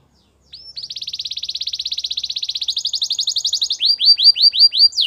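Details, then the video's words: Belgian canary singing: after half a second of silence, a long fast trill of buzzy repeated notes that steps up in pitch, ending in a series of loud, separate down-slurred whistles. "Belgian canary song"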